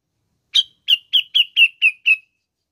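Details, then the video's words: Grey-cheeked Bulbul (cucak jenggot) recording played to stimulate other birds to sing: seven quick, harsh chirping notes, about four per second, each sliding slightly downward; silent background. "INGIN CUCAK JENGGOT ANDA GACOR"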